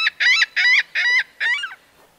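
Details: Laughing gull long or laughing call from a single bird: five strident, nasal 'ha' notes in an even rapid series, the last one fading.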